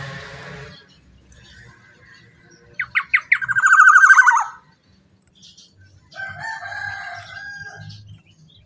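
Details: Black-naped oriole, a loud lure recording: a quiet start, then a burst of sharp notes running into a fast, harsh, descending rattle, and after a pause a softer nasal phrase.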